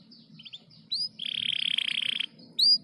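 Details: Canary giving a few short high whistled notes, then a loud, harsh buzzing trill lasting about a second, followed by a bright rising whistle.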